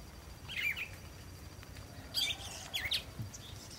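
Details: Cardinal singing from a treetop in a backyard: short bright whistled phrases with quick sweeping notes, a pair of brief bursts separated by a pause of over a second, against a soft steady background hiss.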